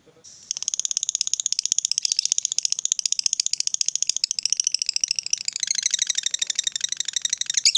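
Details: Fighter lovebird giving a long ngekek, the prized extended chatter used to provoke other lovebirds to sing: a fast, even rattling trill held for about seven seconds, slightly wavering toward the end.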